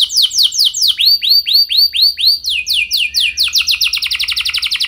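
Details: High canary lure song for drawing replies from other canaries: a few swooping downslurs, then a row of slower, rounded arched whistles, building into quickening runs of sharp descending notes.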